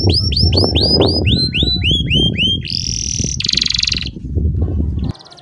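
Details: Canary song meant to coax young birds into learning: repeated rising-falling whistled notes in a fast series, then two harsh buzzy rolls, over loud low rumbling background noise.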